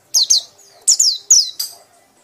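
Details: White-eye giving loud, repeated chattering notes: three pairs of high, sharp, downward-sweeping chirps in quick bursts separated by short pauses.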